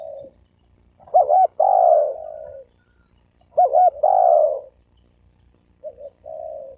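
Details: Spotted dove cooing to provoke males and females into a fight. Two loud phrases of a wavering double note and a long falling coo, followed by a softer, shorter reply at the end.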